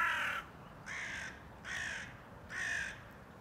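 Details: Hooded crow in Tivoli Landscape Park, Ljubljana, on 16 January 2024, giving four harsh, hoarse caws, each under half a second and spaced nearly a second apart, over a faint background hiss.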